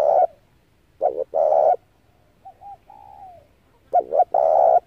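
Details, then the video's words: Spotted dove used as a decoy for trapping doves: loud phrases of a quick double coo and a long throaty coo, with a quieter answering dove cooing and falling in pitch between them. "tiếng chim cu gáy hay kích mồi rút bổi tốc độ cực chuẩn"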